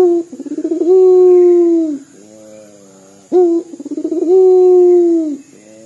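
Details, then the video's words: Local Barbary dove singing its dor coo, likened to sobbing: a pulsing lead-in swelling into a long, level, low moan that drops at the end, a quiet rumble, then the same phrase again. "PUTER LOKAL GACOR DOR SUARA SEPERTI MENANGIS"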